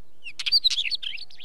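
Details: Close wheatear phrase: a rush of harsh chattering notes mixed with thin squeaky whistles, rising and falling quickly within about one second.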